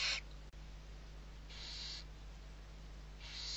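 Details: Six barn owl owlets being fed in Riet Vell reserve, Ebro Delta, Spain, November 2023: harsh, noisy hisses lasting about half a second, spaced well apart, with constant low electrical hum underneath.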